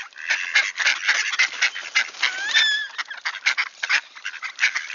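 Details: Wood ducks arriving back in Sainte-Adèle, Quebec, Canada, on a clear 1°C October 2024 morning: busy flock chatter with a clear, rising, drawn-out squealing whistle in the middle.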